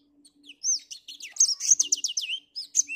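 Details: Cloudy-morning song of a black-throated finch: a few thin opening notes build into a dense run of bright, sweeping whistles and rapid chirps, ending with two brief shrill phrases.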